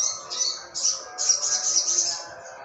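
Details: Sunbird song, olive-backed, recorded in the morning in Jogja in 'trotol ngalas' style for tutoring songbirds: loud, very high buzzy trills in three bursts, ending in a sustained sizzling run.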